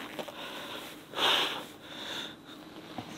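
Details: A brief breathy sniff or snort over steady hiss, with no animal voice heard.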